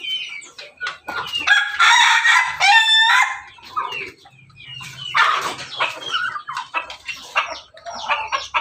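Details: Rooster of a Pelung, Bangkok and laughing-chicken cross with Jogja chicken; a loud harmonic crow of about one and a half seconds, followed by broken, rougher crowing and clucking from several other fowl nearby.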